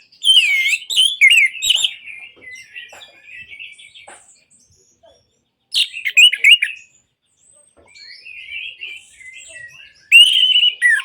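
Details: Three loud bursts of orange-headed thrush song, played to get silent birds singing. Each begins with strong whistled and harsh notes and tails off into quiet rambling twitters, with short silences between phrases.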